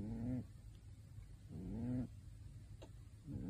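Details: Sleeping pet pigeon in a bird suit snoring: deep, nasal, slightly upswept groaning notes about every one and a half seconds, with a quiet hum and a small click between them.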